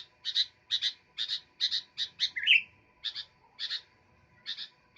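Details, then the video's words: Steady run of clipped double chirps from an actively singing sooty-headed bulbul, with one loud downward-then-upward whistle in the middle; otherwise quiet. "Burung kutilang gacor"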